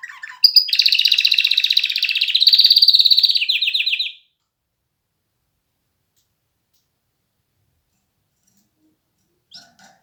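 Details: Canary singing a four-second phrase of rapid, rolling, high trills that shift pitch partway through, then falls silent, with one brief faint note near the end.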